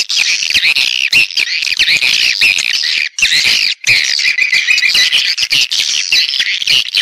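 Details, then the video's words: Many swiftlets twittering together in a Vietnamese lure recording meant to attract birds to nest in swiftlet houses; a loud, unbroken mass of shrill chirps and squeaky trills, with two short gaps near the middle. "ÂM THANH CHIM YẾN HIỆU QUẢ NHẤT"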